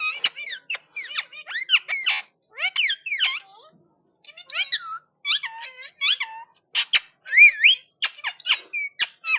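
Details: Talking Indian ringneck parakeet responding to another parrot: a dense stream of squeaky, sliding speech-like syllables and clicks, pausing once, then resuming with higher squeals.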